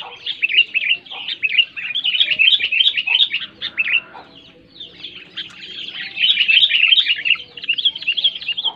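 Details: Sooty-headed bulbul song, loud and clear, played to prompt quiet bulbuls to sing: dense bursts of bubbly, chirping notes in quick chattering runs, pausing briefly near the middle before resuming.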